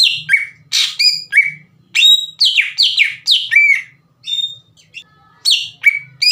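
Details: A greater green leafbird sings energetically, a recording meant to provoke other leafbirds: sharp descending whistles and harsh chips delivered in quick series, with short silent breaks between bursts.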